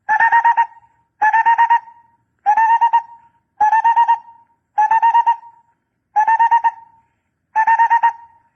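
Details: A barbet's call used as a decoy lure: a regular series of short, fast-pulsed hollow bursts, each fading into a brief tone. They repeat a little over once a second against a clean, quiet background.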